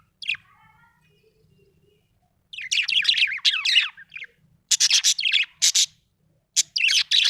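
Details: A happy budgerigar chatters in bursts: a lone chirp, then a long scratchy warbling run, followed by quick rhythmic chirp series, high-pitched and buzzy.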